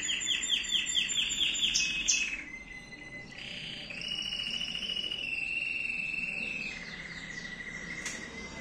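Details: A male Timbrado canary sings a rapid run of rolling, metallic trills, opening with quick bubbly phrases, then shifting into sustained buzzy rolls at steady pitches.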